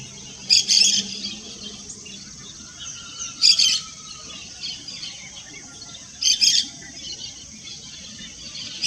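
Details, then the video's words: Yellow-chevroned parakeet singing in short, shrill, scratchy bursts of high chatter, three bursts spaced roughly three seconds apart, with low background rumble between them. "O canto do periquito de encontro amarelo."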